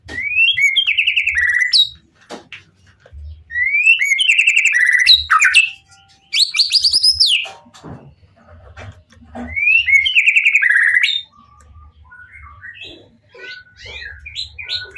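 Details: Caged white-rumped shama in full emotional song, used to provoke other shamas into answering: bursts of rising whistled phrases around two seconds long, separated by short pauses, with sharp high notes and faint low thumps beneath.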